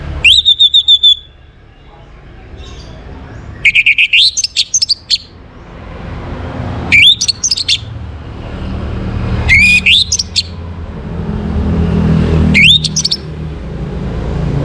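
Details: Morning song of an Orange-headed thrush, played to stir breeding condition in birds: five loud, sharply rising whistled phrases with stuttering pulses, spaced about three seconds apart, over a steady low hum.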